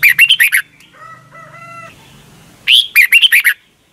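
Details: Doubled song of a caged Thai red-whiskered bulbul, played so young birds learn it: two bursts of rapid, bright warbled notes. Between them, a steady harmonic tone with a low buzz is heard for about a second.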